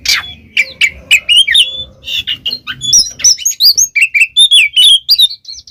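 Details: Oriental magpie-robin singing 'gacor ngeplong' for pet-bird training: starts with scratchy notes, then builds into a fast series of bright twisting whistles, each note separate and crisp.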